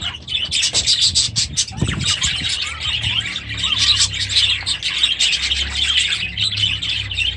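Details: Aviary budgerigars, adults with new chicks, keep up a continuous high twittering, overlapping chirps and warbles from many birds, with one brief low thud near the start.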